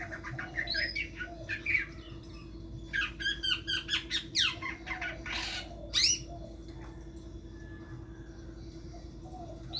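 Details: Caged long-tailed shrike, a hopeful contest champion, gives a burst of scratchy chattering and harsh rasping notes, then a loud sharp rising call, followed by quieter hum.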